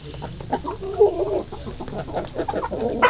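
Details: Morning chickens in February 2022 giving dense, overlapping low clucks and short murmuring notes, several birds calling together, with a sharper higher cluck at the end and a faint background hum.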